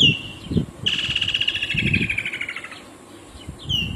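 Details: Woodland kingfisher (Halcyon senegalensis) call: a sharp, high note breaking into a rapid trill lasting about two seconds and sliding gently downward, with low thumping noise underneath.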